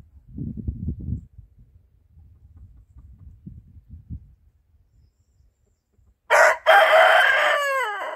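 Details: An Atak-S rooster kept with laying hens gives one loud, harsh crow that holds steady then falls away, answering distant roosters, after several seconds of low rumbling background noise.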